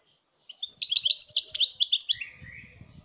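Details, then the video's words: Fast, sparkling goldfinch song phrase of chattering twitters ending in a drawn-out, slightly descending buzzy note, with faint low rumbling noise afterward. "chant chardonneret"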